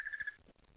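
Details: Crested barbet at Djuma Game Reserve, Sabi Sand, South Africa, on a sunset drive on 1 February 2018, giving a brief, rapid, even trill of mid-pitched pulses, about a dozen per second, that stops abruptly.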